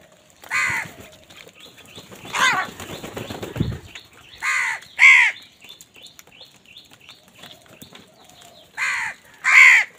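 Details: Crows fighting over food: harsh, nasal caws in short bursts of about a quarter second, spaced irregularly across the clip, with wing flaps and scuffling noise between calls.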